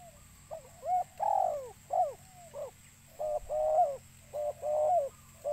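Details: Spotted dove cooing to attract birds: dense run of paired coos, short clipped notes alternating with longer wavering ones, with slight overlapping echoes and steady low hum underneath.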